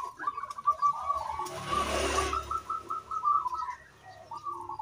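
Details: Local zebra dove in full, lively song, offered as a lure sound to stir other birds into singing; rapid runs of short, soft cooing notes at an even pitch, repeated in stuttering series, with a brief burst of rustling noise midway.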